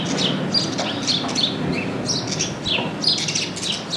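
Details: Urban house sparrows in Paramirim town squares giving sharp, repeated chirps, about three per second and irregularly spaced, over a low constant city rumble.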